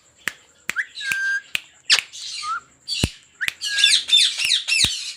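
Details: Caged rose-ringed parakeets at a breeding farm of 400 pairs, sharp clicks and knocks interspersed with short whistles and a loud burst of rapid screeching squawks toward the end.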